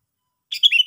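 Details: One brief, loud chatter from a sooty-headed bulbul, a burst of rough notes sliding into a clear falling whistle.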